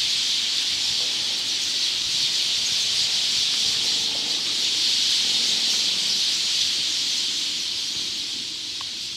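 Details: A large flock of Eurasian tree sparrows gathered in a park tree at evening, recorded from directly below, chirping all at once in a dense, continuous wash of high chatter echoing all around, no single voice standing out.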